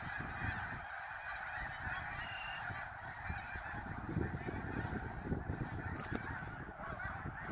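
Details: Snow geese at Middle Creek on 23 February 2019, a large flock giving dense, continuous overlapping honking and nasal yelping, a steady roar of many birds calling together with low rumbling background noise.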